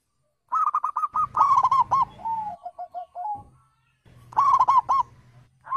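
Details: Call of a wild zebra dove, known locally as perkutut, used to coax other birds to reply: two bursts of rapid, rolling coos separated by a pause, the first tailing off into soft lower notes, with faint low rumble beneath.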